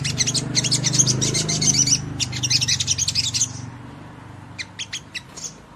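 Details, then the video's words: Sogon (ruby-cheeked sunbird) in provocative song for other birds to answer with wing-fluttering: a long string of high rapid chips for over three seconds, then a few scattered notes, with a low hum behind. "PENDONGKRAK EMOSI SEMUA SOGON MANA TAHAN DENGAR INI"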